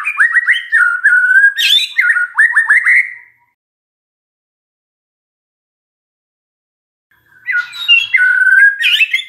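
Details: Magpie-robin lure song meant to get a quiet bird to reply, with busy chattering, rapid whistled notes and sharp upward slurs for three seconds, a long silence, then another burst of mixed whistles.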